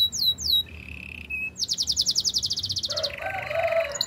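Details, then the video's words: Canary singing a couple of descending sweeps and a flat tone, then a rapid bright buzzy trill that drops into a lower chattering warble. "Master canary singing make your canary will sing everytime"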